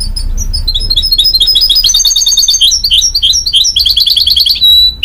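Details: Goldfinch-canary mule pouring out continuous rapid twitters and chirped trills for five seconds, ending on a thin sustained whistle, over a low background hum.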